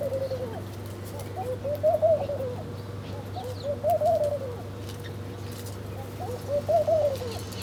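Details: While birds eat their food, one repeats a soft, throaty cooing phrase about every two and a half seconds, each rising then falling; a faint hum runs throughout.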